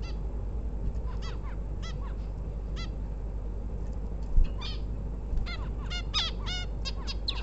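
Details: Bulbul female that is ready to lay eggs calls with quick downward-curving harmonic notes. The notes come in loose bursts that grow busier toward the end, over a constant low droning hum.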